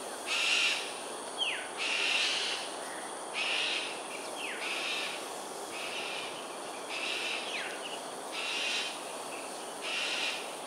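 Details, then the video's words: Cockatoos during an aerial display over Sungei Ulu Pandan, Singapore, at 7.43am on 13 January 2022. Harsh, raspy screeches about every second, some followed by a falling whistled slur, over a steady hiss of insects. "Cockatoos "Aerial Display""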